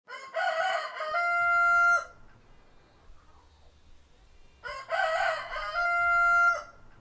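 Two loud rooster crows about four seconds apart, each a harsh broken opening that settles into a long, steady drawn-out final note.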